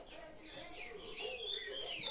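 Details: A captive green-winged saltator, about two to two and a half years old, whose song was poorly learned and keeps only two notes of the "grego boca mole" song, gives clear whistles sliding up and down in quick, uneven phrases; faint human voice.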